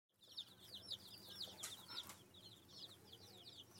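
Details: Chicks at a farm store: a crowd of high, thin peeps overlapping continuously, each a quick downslurred chirp, with scattered faint rustles and a few louder clicks behind.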